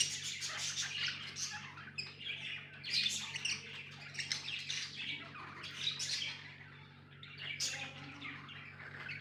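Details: Budgies chirping softly, a steady stream of high scratchy twitters and short squawks, with a low background hum.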